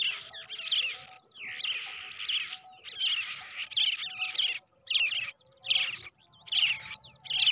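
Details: Hand-raised brown shrike chick, reared from the egg, giving harsh, raspy, broadband screeches in bursts of about a second, repeated steadily with short pauses; a faint steady hum sits underneath.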